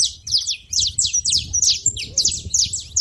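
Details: Saffron finches at a feeding station give shrill, rapid, downslurred chirps in tight overlapping runs, a continuous high twittering over a faint low background rumble.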